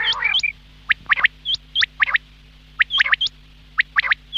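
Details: Quail calling, said to be a morning call from male and female birds, in sharp, liquid three-note phrases about once a second, each with a high upturned whistle, over a faint steady hum.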